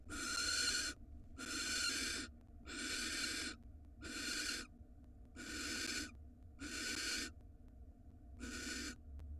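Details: Israeli nest box camera records a female barn owl taking a rat from her male: seven coarse, wheezing screeches, each roughly a second, given at an even pace.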